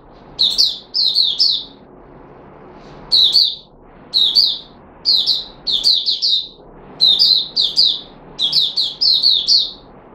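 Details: Caged red-whiskered bulbul, called Puteh Raja, singing on 13 April 2021 after a special fruit juice, one mealworm and a health supplement: short bright warbled phrases of three or four quick notes, repeated in bursts with brief pauses.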